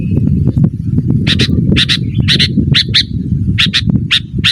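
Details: Sooty-headed bulbul giving sharp chip calls meant to draw wild birds, about two per second after a short pause, with a dense low rumbling and faint ticks underneath.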